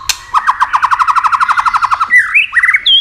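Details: White-rumped shama song played to stimulate and excite other shamas: a fast series of about twenty clipped notes, then upslurred whistles and a rising trill, over a low background hum.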